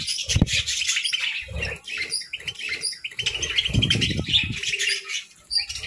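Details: Caged budgerigars feeding on grass and moringa: high twittering chirps run throughout while strong low thumps and crunching bursts, like chewing or fluttering, break in repeatedly.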